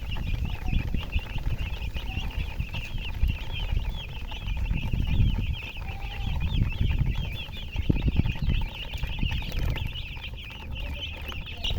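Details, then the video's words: Steady high-pitched chicken peeping runs across the whole stretch above loud, booming low-frequency rumble and handling noise. "silly chicken chirping sounds"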